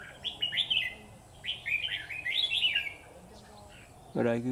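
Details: Caged red-whiskered bulbul used as a decoy in a bird trap: short, bright warbled phrases repeated in quick bursts, slurring up and down, followed by a man speaking close by.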